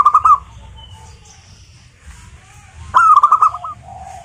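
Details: Local zebra dove singing, played to coax other zebra doves into song: a short, rattling, trilled coo at the start, a quiet gap, then a louder, bubbling phrase of quick notes that ends in a lower held tone.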